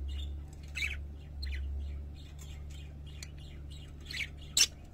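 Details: Parakeets warbling, with soft chattering chirps scattered over five seconds and one sharp, loud squeak near the end over a faint low hum.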